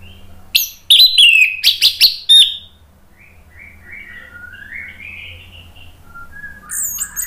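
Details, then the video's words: Orange-headed thrush song used to stimulate other birds to sing: a loud volley of sharp, high slurred whistles over two seconds, followed by softer, lower warbling notes and a final high phrase. "SUARA ANIS MERAH bikin ikutan NYAUT NGEPLONG GACOR ¦ PANCINGAN AM ¦ TERAPI MACET"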